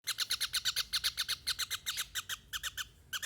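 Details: Javan kingfisher calling actively: a fast series of harsh, raspy notes repeated about four times a second, each note broad and buzzy, running almost unbroken for three seconds before a short pause and a fresh burst.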